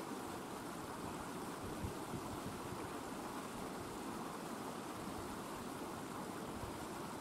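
Steady rushing water noise with a broad, even hiss and low rumble throughout, with no animal calls heard.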